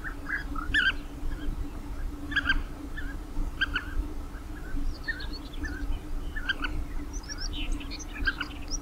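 European bee-eaters give short, rolling, liquid calls in bursts, several birds overlapping, over a steady low rumble and hum.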